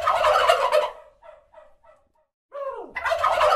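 A turkey gobbles in loud, rapid rattling bursts, with a short run of quieter warbling notes and a falling yelp between two full gobbles.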